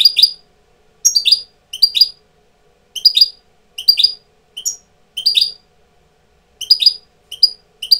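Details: European goldfinch, a tutor bird coming into breeding condition, repeats brief bursts of high, slightly buzzy twittering notes, roughly one burst per second with short silences between, in a quiet setting.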